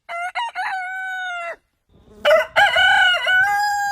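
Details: Rooster crowing: a long, steady, harmonic crow lasting about one and a half seconds, preceded by two short clipped notes. A brief pause follows, then a second, louder crow begins with a wavering dip in the middle.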